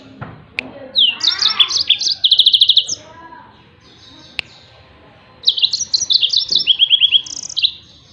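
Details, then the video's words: Yellow-fronted canary song meant for training other songbirds: bursts of high, sweet chirps and rapid buzzy trills, one opening with a descending slurred phrase, two song bouts separated by a quiet gap with a single click. "SUARA TEMBAKAN BURUNG MOZAMBIK || COCOK BUAT MASTERAN"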